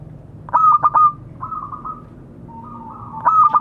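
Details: A zebra dove of local stock calls to others. A burst of rapid mellow coos is followed by softer trilled rolls, then the start of a second burst.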